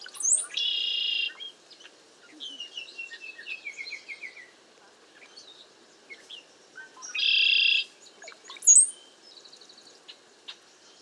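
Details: A bunch of cowbirds gathered in a safe place during bad weather and strong wind. Two loud, dense buzzy bursts about a second long, separated by scattered high chips, thin descending whistles and short chattering notes.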